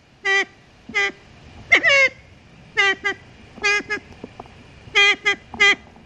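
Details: Siamese fireback, Thailand's national bird, at Sakaerat Biosphere Reserve, giving short, nasal, horn-like notes, singly or in quick pairs, about nine over six seconds, with two voices briefly overlapping.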